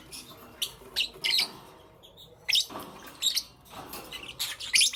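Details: Morning chirping from a lovebird: bursts of piercing, scratchy high notes, some in quick pairs, separated by short gaps over a soft background hiss.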